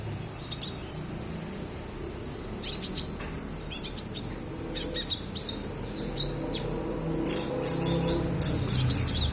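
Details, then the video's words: Juvenile olive-backed sunbird practising its song in the style called ngriwik, giving scattered sharp high chirps and brief clusters of ticking notes. A low rumbling background noise runs throughout. "KONIN IJOAN BELAJAR BUNYI// NGRIWIK//"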